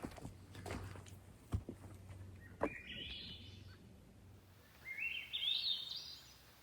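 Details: A Swainson's Thrush sings in forest: two flutelike phrases, each spiraling upward in pitch, come about two seconds apart after a few knocks and a low hum.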